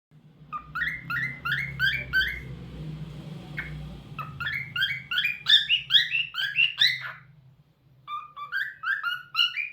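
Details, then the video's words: Pet cockatiel singing: rapid runs of short chirpy whistled notes repeated in quick bursts, a pause, then more bursts of bright rising chirps, with a low background hum. "Cockatiel Talkative Bird 🐦 Rio Nice Singing"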